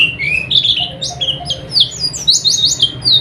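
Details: Oriental white-eye song used to tutor caged birds at night: lively high-pitched twittering of quick sweeping chirps, roughly two notes per second in looser bursts, rising into a cluster of bright slurred notes.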